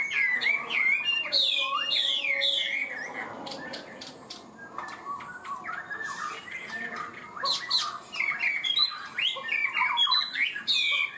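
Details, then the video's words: Chinese hwamei in a cage, valued for high-pitched song and a fast, stable start; loud whistled phrases at the start, a quieter stretch of soft chatter, then renewed bright whistling. "Chim họa mi hót cao cầu, ra mỏ nhanh ổn định"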